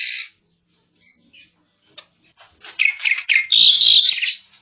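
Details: Asian pied starling (jalak suren) in active song, recorded as a song model for other birds: a few scattered squeaks and clicks that build into a dense run of loud, harsh, chattering whistles.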